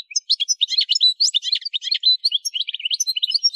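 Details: Algerian goldfinch, subspecies parva, recorded in Kef El Hammam, Souk Ahras region, Algeria, singing a dense, unbroken stream of high, liquid twitters and chattering notes, fast and varied throughout, with no other sounds.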